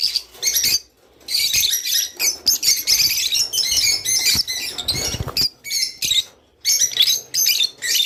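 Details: Sustained high twittering song of a rice finch, played to get birds to mate, running in long dense stretches broken by two short silences, with a few clicks and rustles.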